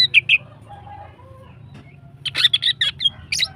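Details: Female greater green leafbird in lively, long-running song used to bring other birds into breeding condition: two bright chirps open, a quiet pause with faint low whistles follows, then a rapid burst of sharp, high twittering notes.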